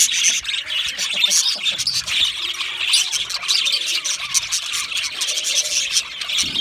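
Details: Budgerigar flock chatter: continuous high twittering and chirps, with occasional squeals and scratchy notes rising above the constant background of many calling birds.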